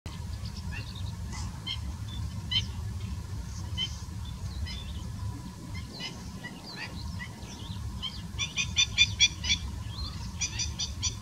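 Collared pratincoles give sharp, chattering kik and kirrik notes, several birds at once, quickening into a dense burst near the end over a steady low rumble of wind.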